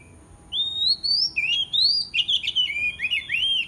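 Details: White-rumped shama, aggressive and challenging a rival, used as a lure to call opponents: loud, clear whistled phrases rising and sliding between high notes, then a rapid run of varied chirps and slurred whistles, with steady faint background hum.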